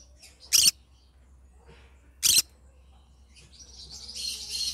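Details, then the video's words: Two loud, rasping screeches about two seconds apart from a singing yellow-sided green-cheeked conure, followed by a rising, hissing, scratchy chatter that grows louder to the end. "Yellow Sided green conure singing sounds"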